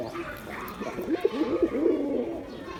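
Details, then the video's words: Male Giribuz pigeon in display, a run of deep rolling coos with wavering pitch, several pulses in quick succession over a steady low background hum. "Pigeon Sound Effect || Male Pigeon Super Performance || Giribuz Pigeon"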